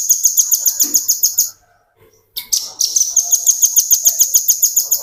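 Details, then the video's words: Tutor recording of a velvet-fronted nuthatch singing continuously in the ngebren style. A piercing, high, fast-repeated chattering trill runs for about a second and a half and breaks off into a short silence. The same rapid ticking series then resumes and carries on steadily. "Burung Rambatan Paruh Merah ngebren"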